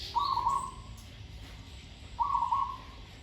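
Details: Zebra dove in training, singing with good verse flow: two rolling, trilled coo phrases, each lasting about three quarters of a second, separated by a two-second pause, over quiet background hum.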